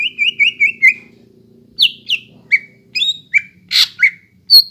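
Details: ['A greater green leafbird sings to prompt young leafbirds: four quick sliding whistles, a pause, then scattered varied notes, some sharp and rising, others falling slurs.']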